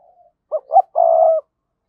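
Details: Spotted dove used as a decoy, calling to lure wild birds fast: a soft lead-in note, then two short coos and a drawn-out, even coo lasting about half a second.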